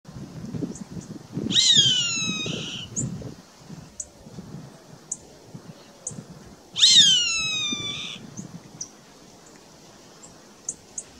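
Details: A roadside hawk (gavião-carijó) in Brazil gives two drawn-out, nasal, mewing screams that drop in pitch, about five seconds apart, over a low rumble and faint high ticks.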